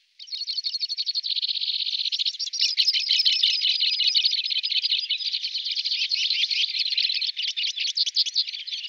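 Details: At a bird hide in Emmen, Netherlands, a White-winged (Two-barred) Crossbill gives a steady, high stream of rapid dry trills and chattering notes that runs without a break for nine seconds.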